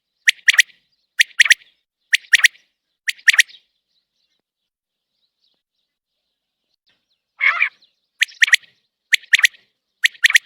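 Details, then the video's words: Common quail outside its cage: four quick triple-note phrases, bright and clipped, then a silent gap, a single hoarse nasal note, and four more crisp triplets at a steady pace. "Batair Ki Awaz pinjre se bahar | Common Quail Calling without cage"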